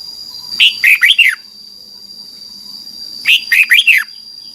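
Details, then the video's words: Red-whiskered bulbul singing, played in Thailand to teach young birds: a pair of four-note phrases, lively down-slurred whistles, repeated after about two and a half seconds, a thin steady whine in the background. "นกกรงหัวจุก, 30 นาทีทุกเช้า เพื่อให้นกเรียนรู้ที่จะพูดได้อย่างรวดเร็วและหนักแน่น"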